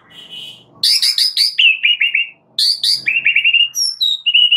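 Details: White-rumped shama singing hard on a master track for caged birds: loud rapid chattering bursts alternating with quick runs of bright whistled notes, ending in a high thin whistle.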